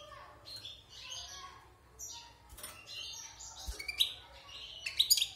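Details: Wild European goldfinch, caged for six months after moulting, sings scratchy chattering phrases mixed with brief buzzy notes and rising slurs, growing louder with sharp high tinkling notes near the end; soft clicks in the background.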